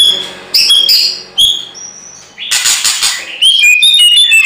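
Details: White-rumped shama in energetic fighting song, a lure recording to make other shamas answer; loud whistled notes and buzzy harsh bursts alternating, with high sliding phrases near the end.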